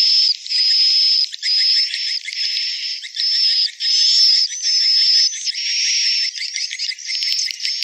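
Swiftlet calls: high, buzzy chirping phrases about a second long, repeated almost without pause. The sound is bright and metallic, with a steady tone running through it.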